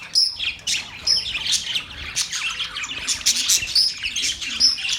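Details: Pet budgerigars chirping, sharp whistled notes repeated roughly once a second over softer fast chatter from the rest of the flock.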